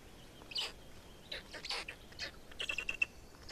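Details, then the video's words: Black stork chicks, Estonia, 18 May 2019, with a fourth chick: raspy, wheezing bursts come in quick irregular clusters, some stuttering, over faint background noise and a thin whistle from another bird. "Estonian Black Storks - Fourth chick"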